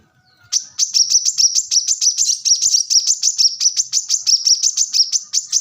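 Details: Plain-throated sunbird singing: after a brief quiet start, a long, fast, even series of very high, thin chipping notes, roughly five per second, continuing to the end.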